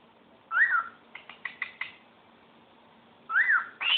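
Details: A pet cockatiel sings, whistling rising-and-falling notes separated by short chirps; Cockatiel (Nymphicus hollandicus), song.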